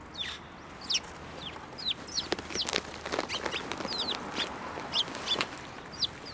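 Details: On 15 March 2024 at a Tenmangu shrine, sparrows fly onto a hand for food; brief high chirps repeat steadily over a background of clicks and soft noise.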